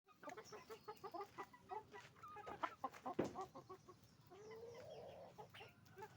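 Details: Roosters and hens at a chicken farm making noise: a dense chorus of short, quick clucks repeated in bursts, then a longer rising, drawn-out squawk near the end, with a sharp knock in the middle.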